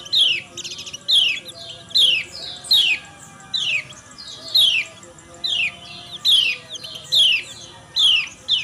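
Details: Female yellow white-eye calling in the morning, a call said to stimulate males to sing: sharp, high, downward-slurred chirps repeated a little over once per second, over a steady low hum and faint background chatter.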